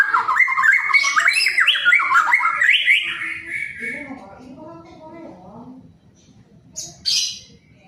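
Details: Male white-rumped shama song rich in varied material: a rapid series of rising and falling harmonic notes for about four seconds, then softer low-pitched notes, ending with two brief high shrill bursts.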